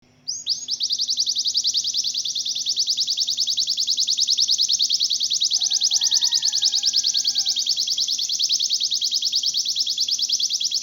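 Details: Canary kept as a songbird, singing a long continuous rolling trill of rapid high repeated notes, about three per second in pulse, steady for over ten seconds with a faint lower whistle midway and a low steady hum beneath.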